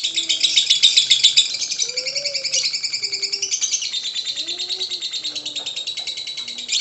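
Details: Singing lovebird: continuous, fast, shrill chattering with harsh buzzy passages, over soft low cooing of doves in the background.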